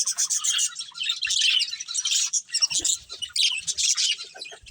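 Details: Budgie colony with a breeding pair, giving rapid, overlapping high chirps and buzzy warbling that barely pauses for nearly five seconds.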